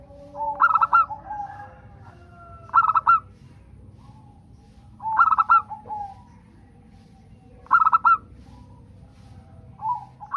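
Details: Local zebra dove singing, a recording used to prompt other zebra doves to sing: four bright cooing phrases, each a quick cluster of clipped notes, spaced about two to three seconds apart over a low background hum.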